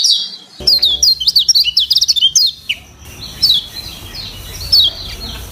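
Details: Lemon-bellied white-eye, varied training song: a quick run of sharp, high whistled chirps for about two seconds, then sparser notes over a steady background hiss.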